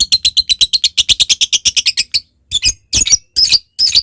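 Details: Lovebird calling as a lure for a rival: about two seconds of rapid clipped, high chattering notes, then a pause and four separate harsh squeaky bursts spaced roughly half a second apart.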